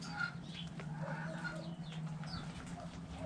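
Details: Backyard chickens playing in the dirt, hens dust bathing; a few short, rising and falling clucks sound over a steady low hum, with bird-like squeaks scattered through.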